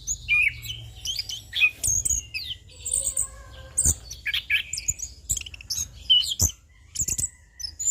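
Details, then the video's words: Orange-headed thrush, known locally as anis kembang or punglor, in a relaxed ngeplong-style song used as a tutor and lure recording: dense, varied high whistled and chattering phrases, with faint lower tonal notes and a few clicks. "Pancingan Burung Anis Kembang / Punglor - AK Ngeplong Santai"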